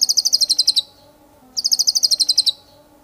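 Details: Two quick high rattling phrases from a White-rumped shama, each about ten fast metallic notes, with a low steady hum in the background.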